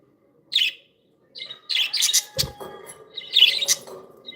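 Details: Playful pet budgies: a single chirp, then a lively run of overlapping scratchy chirps and chatter with a brief low thump midway.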